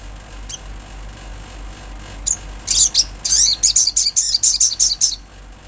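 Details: Olive-backed sunbird in natural lively song: a few isolated high chips, then a rapid, steady series of sharp, very high chirping notes lasting about three seconds.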